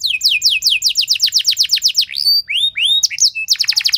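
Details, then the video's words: A canary's long, forceful lure song to make other canaries respond: a fast chain of steeply falling notes, a few looping whistles and chirps, then another rapid rolling phrase. "Langsung Respon Burung Kenari Kondisi Apa Saja Dengan Pancingan Kenari Nembak Panjang Keras Ini"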